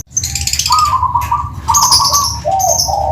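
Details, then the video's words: Perkutut of the Tuban style, a zebra dove, giving rolling, trilled cooing notes in quick runs at a steady pitch, dropping to lower coos at the end, with brighter high chirping from other birds overlapping. "Suara Kristal,perkutut Tuban"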